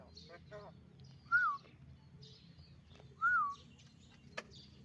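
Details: Bird song from Yosowilangun, Lumajang: two clear, sweet whistled notes that rise then slide down, about two seconds apart, with soft scattered chirps, a brief voice-like murmur at the start and a low hum beneath.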